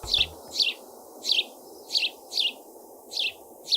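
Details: A sparrow in Chicago, where sparrows are invasive, gives bright, high chirps, about seven in under four seconds at a slightly uneven pace, over a steady low background hum.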